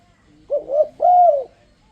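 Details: Single phrase from a spotted dove's enticing song used to draw other doves into singing: a short rising coo, a wavering middle note, then a sustained mellow falling coo.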